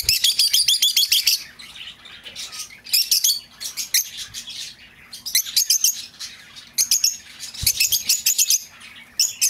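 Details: Lovebird sounds used to call back a lost bird: fast rattling bursts of high, metallic chirps repeated in dense volleys, each lasting about a second, alternating with softer twittering.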